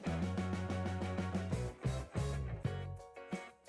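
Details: Rhythmic music with a deep bass line and plucked guitar fills the recording, with no animal voices.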